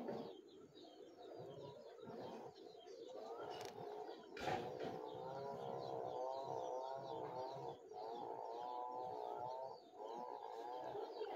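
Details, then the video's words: Chickens, a hen and rooster with chicks, during mating and feeding. Loud, nearly continuous, wavering harmonic calls run through most of the stretch, broken by short gaps and a few sharp knocks. "hen & Rooster Mating video 2023 | Murga murgi sex and feeding process vedio | chicks original sound"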